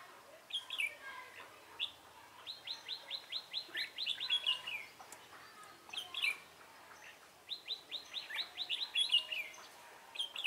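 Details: Red-whiskered bulbul heard at a trapping session with a decoy bird, 24 March 2018. It gives fast, rhythmic runs of clear, sharply rising whistled notes, about eight in a row, repeated twice with shorter chirps in between.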